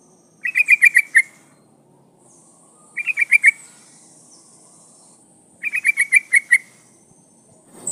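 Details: A female sooty-headed bulbul calls for a male with three quick rattling runs of five or six crisp notes each, spaced roughly two and a half seconds apart, over a faint high hiss.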